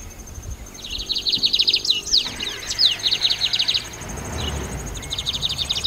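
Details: Lined seedeater song: long, fast, buzzy trills high in pitch, with sharp slurred notes in the middle, a short pause, then another trill, over a thin steady whine.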